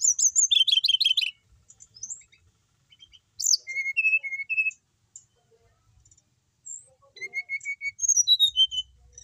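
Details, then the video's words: Persistently singing caged brown-chested jungle flycatcher: a fast stuttering trill of doubled high notes, then separate pure whistles at steady pitch, and later falling whistled phrases mixed with rapid twitters. "Emang enak kalo punya burung srdc mapan, mau di apain aja tetap gacor,sikatan rimba dada coklat bali"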